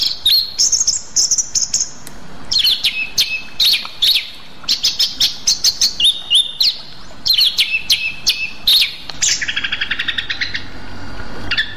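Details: Rueck's blue flycatcher, a bird endemic to Sumatra: a lively string of high, sharp clicks and chips mixed with clear whistled phrases, some rising, some held and wavering, delivered in quick bursts.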